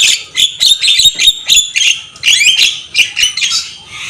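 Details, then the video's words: Javan myna delivering a loud, busy song of rasping squawks, clicks and short whistles in quick succession, with a few rising slurred notes near the middle. "Masteran jalak kebo gacor full manggut-manggut"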